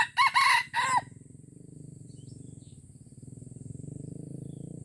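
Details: Crow of a red junglefowl from Aceh, recorded at a first lure trial: three quick, loud, harsh syllables in about one second, followed by a steady low pulsing hum.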